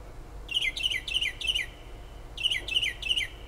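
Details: Unidentified bird singing outside a kitchen window in south-central New Jersey near the shore, late night and early morning: two runs of quick, sharp, downslurred chirps, four then three, over steady background noise.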